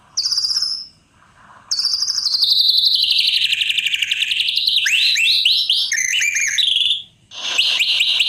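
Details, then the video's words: Varied white-rumped shama song: a high opening note, then a long falling warble, rapid descending sweeps, buzzy trilled phrases and a closing burst. "Murai keren"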